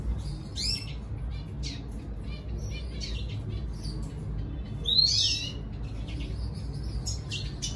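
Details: Red siskin singing to draw a female, with scattered short chirps and sharp high notes, a louder twittering burst near the five-second mark, and low background hum.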